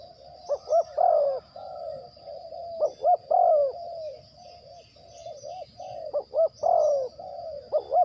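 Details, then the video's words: Decoy spotted dove kept for bird trapping, calling in a steady run of low, hollow coos: short doubled notes leading into drawn-out falling coos, several phrases over eight seconds, with a constant thin insect whine overhead. "The Sound Of A Cuckoo Bird,Pikat Tekukur"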